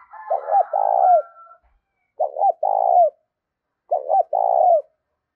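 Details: Cooing spotted dove used to stir other doves into cooing and to train a decoy: three repeated phrases of a quick broken double coo leading into a longer, sliding hollow note, with a faint higher tone under the first.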